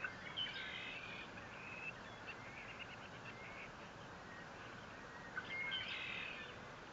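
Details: On 21 April 2024 at the Fort St. Vrain nest, a bald eagle starts with high squealing whistles, follows with a run of quick faint chittering notes, and ends with another shrill squeal, heard through a live nest camera over steady hiss.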